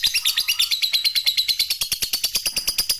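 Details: Steady rapid chatter from a lovebird, used as a lure to set other lovebirds calling; evenly spaced harsh pulses about three per second run through the whole stretch.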